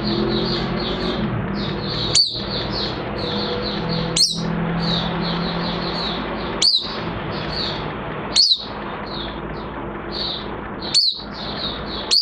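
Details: Oriental white-eye in light moult, a caged songbird recorded in June 2022, repeats loud sharp downslurred high notes roughly every two seconds, with rapid softer twittering filling the gaps and a steady hiss behind.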